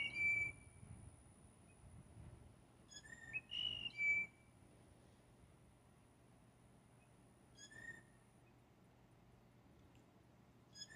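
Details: Mating calls of blue jays, several birds vying for one female: scattered bursts of high, pure whistles with a quick double note in the middle, separated by long quiet gaps.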